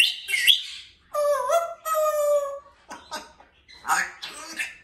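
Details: Pet male African grey parrot on its window perch, playing and vocalizing: a short raspy burst, then two long, steady, nasal, harmonic tones like drawn-out words, followed by choppy, speech-like chatter.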